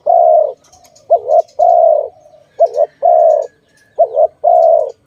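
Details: Dove repeating its coo, bird-trapping context with release: long steady notes alternate with quick wavering doubled notes in a regular pattern, several phrases, with faint high twittering behind.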